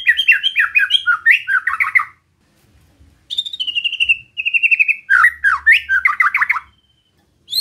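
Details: Relaxed White-rumped shama song played to provoke rival shamas: quick series of slurred whistles, a pause, then a descending run of repeated clear notes followed by more rapid varied phrases.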